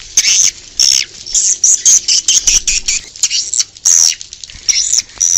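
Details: High-pitched swiftlet twittering recorded outdoors for attracting swiftlets, rising and falling chirps in irregular bursts separated by short silences.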